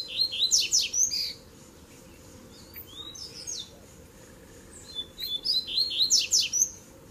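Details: Double-collared seedeater in a mix of tui tui, zel zel and mateiro styles, used to warm up other birds: rapid bursts of high chirps and sliding whistles, a quieter middle phrase, then a dense final flurry over a constant low hum.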